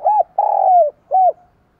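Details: Spotted dove song used for daily voice training of doves: a short arched coo, a long loud descending croo, then another short arched coo, all mellow and low, with a quiet background.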